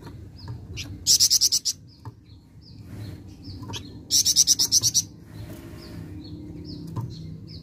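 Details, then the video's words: Two quick series of loud, clipped, high notes from a flameback, each about half a second long and three seconds apart, with soft scattered chirps and a low background hum between them. "Sekali Putar Bahan Flamboyan Langsung Nyaut"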